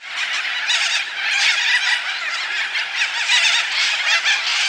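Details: Flock of corellas feeding on African tulip tree seeds in Coffs Harbour, Australia, 2013, giving constant harsh, grating, overlapping screeches in a raucous wall of noise.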